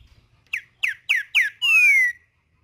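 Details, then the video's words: Green-winged saltator in nature singing a phrase of the "tempera viola" type: four crisp, sharply descending notes at about quarter-second intervals, then a sustained, bright, downslurred whistle. Faint low rumbles precede it. "CANTO DO TRINCA FERRO TEMPERA VIOLA NA NATUREZA"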